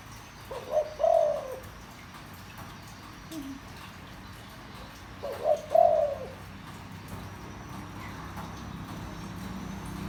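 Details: Spotted dove with a low voice, used as a lure for wild doves. Two cooing phrases about four seconds apart, each a short note followed by a drawn-out mellow coo, with a faint low murmur between them.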